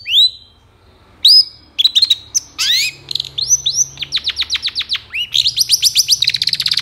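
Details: Varied long-tailed shrike song for provoking reluctant shrikes to sing: rising whistled slurs give way to long, rapidly pulsed trills that quicken toward the end, with soft low hum underneath.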